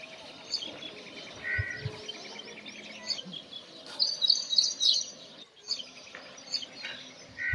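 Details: A Brown rock chat (Oenanthe fusca) calls: quick, high chirps and short whistles in an irregular run, about three or four a second, over faint background noise.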